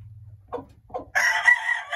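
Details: A black Japanese bantam brood hen gives two low, soft clucks, then a loud, harsh, drawn-out squawk. A steady low hum runs underneath.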